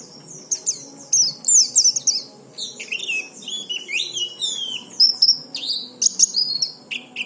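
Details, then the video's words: Oriental white-eye singing, played to get other white-eyes singing: a bright, rapid, high-pitched warble of tumbling descending notes and twitters, continuous for several seconds. "Suara pleci ini cocok untuk memancing pleci bahan agar cepat bunyi"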